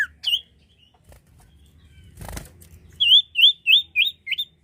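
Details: Common iora song as a bird lure: a couple of whistled notes, a rustling flutter, then five loud upswept whistles spaced evenly about a third of a second apart.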